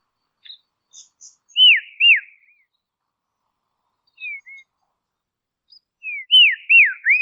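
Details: Dusky robin in Tasmania, Australia, giving soft, mellow whistled notes: a pair of high downslurred whistles, then a brief quiet pair and another falling pair near the end, with silence between.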